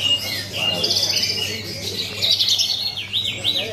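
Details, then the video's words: A Horsfield's bush lark at a songbird contest pours out a fast, high, varied song of chirps and thin whistles, ending in rapid rising-and-falling sweeps, over a steady low hum. "BRANJANGAN GARUDA MAS MAIN APIK - MUNTAH TONJOLAN"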